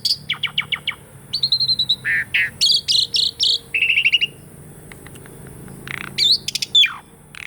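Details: Song of an Asian pied starling, played to provoke silent birds into singing: varied, fast mix of clicks, buzzy trills, harsh rasps and short whistles, with a faint steady hum behind.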